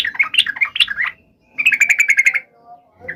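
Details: Yellow-vented bulbul in full fighting song, meant to provoke other bulbuls into answering at once: a bubbly, chattering run of quick notes, a pause, then a tighter burst of rapid repeated chips, with a short note at the end.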